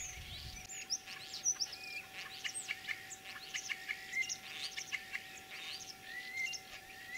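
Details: Common starling imitating other birds in spring, Kalyazin district, Tver region, 9 April 2023: varied chirps, thin high whistles and clicking notes tumbling in quick succession, one short low thump at the start, a faint hum throughout.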